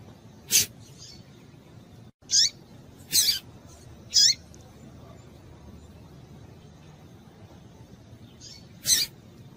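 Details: Calls of a female double-collared seedeater used to stimulate males: five high, piercing, clipped notes at uneven intervals, some with a short downward slur, plus faint softer notes over a quiet hiss.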